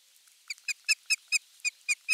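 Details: Osprey calling at the nest on 23 June 2020, when a half-kilo crucian carp arrived as the morning fish; clear, sharp whistled notes repeated evenly about four times a second, rising slightly in loudness.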